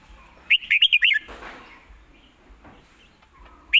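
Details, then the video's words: Red-whiskered bulbul singing a fast, cleanly phrased burst of five lively whistled notes, followed by a faint rustle and a single closing chirp. "ยืนร้องชิวๆ"สำนวนดี ปากไว #นกกรงหัวจุก #เสียงนกกรงหัวจุก"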